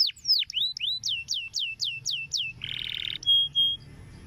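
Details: Canary tutor song for young canaries: a string of loud downswept whistles, then a short buzzy rattle and a steady pure whistled note.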